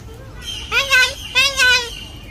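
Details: Parrot talking, two drawn-out voice-like utterances with bright harmonic tones, the first rising and the second level then sliding slightly downward, over a quiet background.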